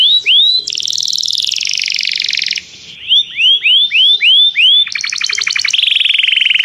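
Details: Canary calling another canary to sing, for song training: a buzzy trill, then a run of six rising whistled notes spaced evenly, then fast pulsed and buzzy trills.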